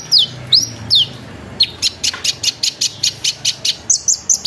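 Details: Lively sunbird lure song meant to prompt other sunbirds to join in: three sweeping, falling whistles, then an even series of high chirps about every quarter second, ending in short trilled notes.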